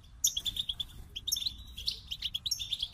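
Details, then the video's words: Goldfinch song opening with a rapid series of clipped repeated notes, followed by tinkling slurred twitters and buzzy jingles, lively and rhythmic. "The Captivating Call of Goldfinches"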